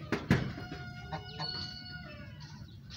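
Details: A pet goose talking to its owner, giving drawn-out harmonic calls that slide and fade over about a second and a half, after two sharp knocks at the start; a quiet room is heard behind.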